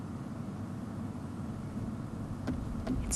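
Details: A steady low vehicle engine rumble with a couple of faint clicks near the end, and no animal calls.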